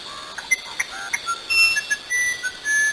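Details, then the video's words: Musician wren, or uirapuru, singing in the rain in nature; clear, pure whistled notes at varied pitches, some short and some held, jumping up and down in a flute-like, musical sequence over a soft hiss. "Uirapuru Cantando na Chuva"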